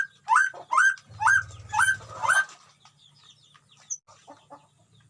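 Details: Colony-caged white-rumped shama at a breeding site: five loud, upslurred notes in steady succession, then fading, scattered softer notes with a low hum in the background.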